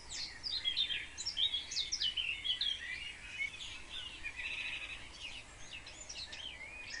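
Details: Several house sparrows chirp in spring in a busy, overlapping chatter of short, bright notes, about one and a half per second, over soft hiss, as they compete for the best nest boxes in a wildlife garden.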